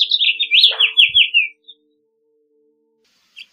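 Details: House Finch phrase: a rapid zigzag of slurred high whistles sweeping up and down and drifting lower over about a second and a half, then silence and one faint distant note.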